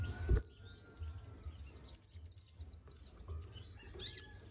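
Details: Konin bird in busy song, recorded as a tutor for magpie-robins: a single high slurred whistle, then a quick run of five bright, sharp notes, a pause, and a final high twittering burst, with faint low thumps.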